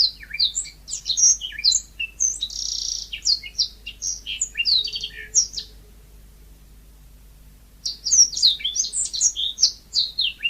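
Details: Yellow-fronted canary singing energetically in a natural style: rapid, varied high twittering phrases of sweet chirps and short trills. A buzzy note comes near the third second, then a pause of about two seconds before the warbling resumes.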